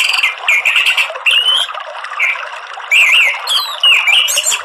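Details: Loud ngeplong morning song from an orange-headed thrush: bursts of strong, buzzy-edged whistles and zigzag slurred notes, each burst followed by quieter twittering. Rich, varied phrases repeat about every second.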